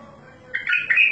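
A bulbul gives a brief run of bright, warbled notes around two to three kilohertz, rich and slightly buzzy, following half a second of quiet hum.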